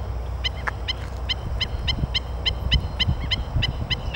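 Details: Four killdeer chicks give sharp, high, clipped peeps in a steady stream, about one a second, with a few overlapping. A low rumble of background noise runs underneath.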